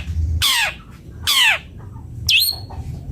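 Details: Long-tailed shrike giving loud, harsh, downward-sweeping squawks about once a second, then a sharper rising-and-falling note, all against a quiet background.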